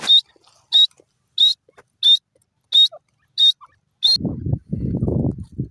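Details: Morning call of a grey francolin (irani teetar): seven shrill, high, even notes repeated at a steady rhythm roughly every two-thirds of a second. Low rumbling noise takes over at the end.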